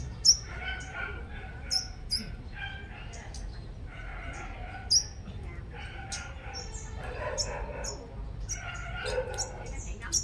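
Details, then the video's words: Five-coloured sunbird kept as a strong-singing decoy bird in Long Thành, Đồng Nai, Vietnam: sharp, very high, thin chirps and short twittering notes scattered irregularly through the clip, over steady background talking by people. "Chim Hút Mật 5 Màu Mồi Siêu Hót"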